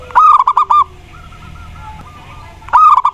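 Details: Zebra dove, Mataram type, singing as a prompt for other doves: a brisk phrase of short, stuttering, hollow coos, a gap filled by quieter background cooing, then another loud phrase begins.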